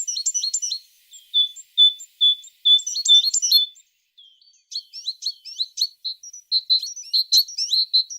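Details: Singing tit: a run of clear, evenly spaced single whistled notes at a steady high pitch, framed by fast jumbled bursts of bright chirps before and after.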